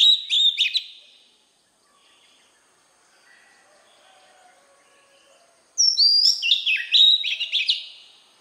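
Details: Oriental magpie-robin with a wild-type voice: one brief whistled phrase, a long quiet gap with faint background murmur, then a second loud phrase of descending whistles and rapid chips.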